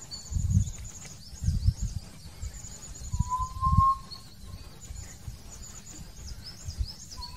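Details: Hill partridge singing: one pure, drawn-out whistle that rises slightly midway, and another just starting at the end, over high twittering from other birds and steady low wind rumble.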